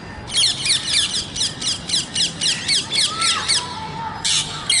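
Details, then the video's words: Parrot voices outdoors, a steady series of harsh, rasping squawks about four per second, with a faint lower whistled note partway through and a final loud burst at the end. "Natural Parrot Voices"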